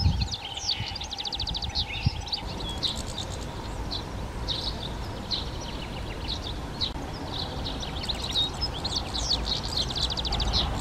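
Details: European goldfinch singing in a garden: continuous lively, high twittering with rapid buzzy trills and tinkling, liquid notes, delivered in quick bursts over faint low background rumble.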